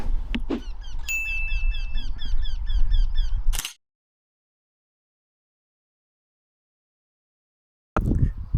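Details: A Eurasian wryneck heard singing from a roadside in the northern Netherlands in 2025 gives a quick run of nasal, slightly rising notes, several per second, over a heavy low roar of wind or traffic.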